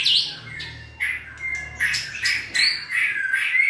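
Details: Captive white-rumped shama in stamina training for song: varied loud whistles and harsh squawky notes in quick succession, over a steady low hum.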